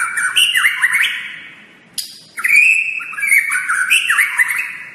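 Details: White-rumped shama singing a masteran tutor song for training other shamas: rich, loud whistled phrases with rising and falling slurs and high chattering overtones, a short pause near two seconds, then another bright varied phrase.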